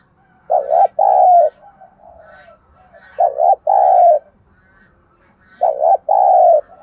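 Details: Decoy-training 'thúc gù' cooing of a spotted dove, used to bring birds in to a trap: three deep two-part phrases about two and a half seconds apart, each a quick double hoot then a longer, falling coo.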